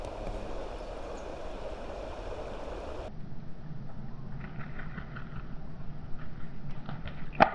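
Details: Low engine-like rumble by a river that drops away midway, followed by splashing and a sharp knock at the end.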